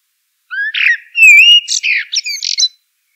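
Common blackbird singing a single two-second phrase: a rising fluted whistle and a clear sustained note, then a squeaky, chattering twitter to close.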